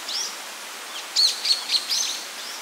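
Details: Male Japanese paradise flycatcher incubating at its nest on 6 June 2020, the second day of incubation, with the female returning to take over, gives thin, high chirps: a faint note, then four sharper ones about a quarter-second apart, over soft hiss.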